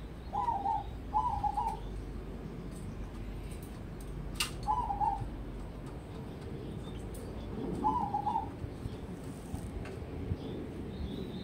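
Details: Zebra dove, a crossbred bird kept as a prospect for song contests, giving short trilling coos around the same pitch, in bursts of two then single phrases spaced several seconds apart, over steady low background rumble and faint clicks.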